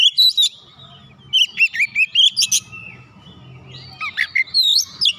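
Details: Oriental magpie-robin in agitated song after provocation, showing off its learned repertoire. Clear whistles and quick chirps come in short bursts over a faint low hum in the background.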